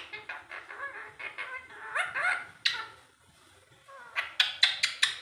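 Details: Alexandrine parakeet imitating speech in rapid chattering syllables, then a harsh screech, a short quiet gap, and a quick run of sharp clipped calls.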